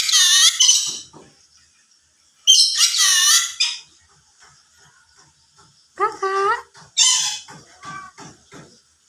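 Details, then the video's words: Yellow-sided conure talking in three short bursts separated by silence: a raspy squawk, a longer chattering phrase, then lower voice-like syllables followed by a high squeal, in a quiet room. "burung yelow side conure bisa ngomong"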